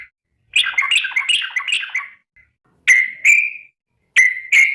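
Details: Calling to companions, a yellow-vented bulbul gives a two-second jumble of lively, warbling chirps, then pairs of clear, slightly rising whistled notes.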